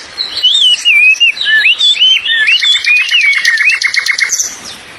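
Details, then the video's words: Bird song in a fast run of looping whistled notes that bend up and down, then a rapid stuttering series of sharp high ticks before the phrase ends; quiet background. "kicauan Burung"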